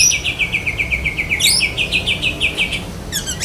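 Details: Black-breasted Oriental magpie-robin (kacer dahit) mimicking a lovebird in its besetan kapas song: a steady stream of sharp, chirpy notes repeated rapidly without a break, with a high upward squeak midway and a short ticking burst at the end.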